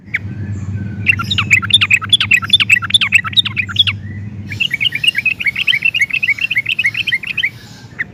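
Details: Yellow-vented bulbul (trucukan) in energetic gacor song with long rolling ropel phrases: sharp chattering notes give way to a fast run of bright repeated chips, over a low steady hum early on.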